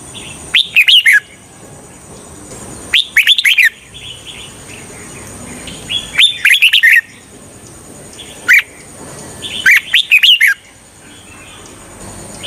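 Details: Red-whiskered bulbul kept as a lure for trapping wild birds, giving five short, bright warbling bursts of clipped whistled notes at irregular intervals, with a faint constant high-pitched hiss between them.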